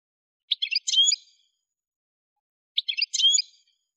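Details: Algerian goldfinch (parva) from the Kef El Hammam area of Souk Ahras, Algeria, giving two identical short twittering bursts about two seconds apart, each a few quick high notes ending in a thin whistle.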